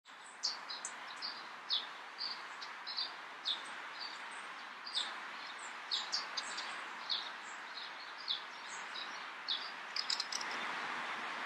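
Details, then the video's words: Fieldfare (Turdus pilaris) in Vilnius, Lithuania, June 2017, giving short, harsh chattering notes, about two every second, over a steady hiss of background noise. "Grive litorne (Turdus pilaris) Fieldfare"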